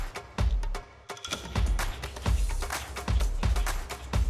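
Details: Electronic music with steady drum beats and percussion, with no animal voice heard.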